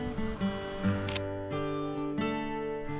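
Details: Plucked acoustic guitar music with strummed chords and sustained low notes; no animal voices are heard.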